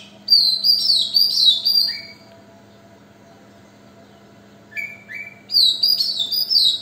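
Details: A magpie-robin on a balcony sings two bursts of varied, sweet whistled phrases, high and fluttering with a few lower notes, separated by a pause; a faint steady hum underneath.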